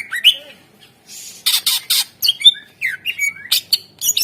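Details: Greater green leafbird singing hard as a lure for birds that have gone quiet: harsh rasping bursts mixed with slurred whistles and rapid chirps, repeated with barely a pause.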